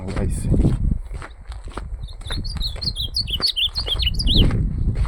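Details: Ultramarine grosbeak in a campeada song contest delivers a rapid string of clear, swooping whistles, each note dipping and rising, set against steady low-pitched handling noise and occasional knocks.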